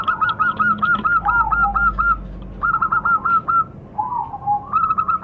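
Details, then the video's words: Local zebra dove pouring out long runs of rapid, evenly spaced bright notes, broken by short pauses and a lower gliding coo near the end. Faint low hum underneath. "Suara Burung - Perkutut Lokal"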